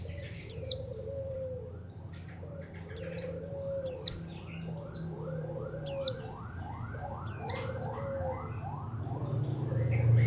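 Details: Untrained mountain white-eye kept as a hobby songbird: spaced high piercing chirps every two seconds, while a run of repeated wailing siren-like notes and low hum fill the background.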